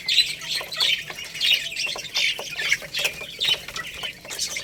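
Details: Lohmann Brown chicks pecking at rice, a young rooster and hen; steady run of high chirps, uneven, more than once per second, with crisp clicks mixed in.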